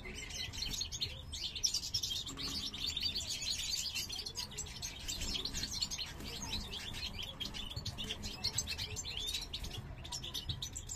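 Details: Male parva goldfinch, one of a captive breeding pair for the 2023 season, singing beside a female curious about a new nest; fast liquid twitters and chirps pour out steadily, with a slight low rumble underneath.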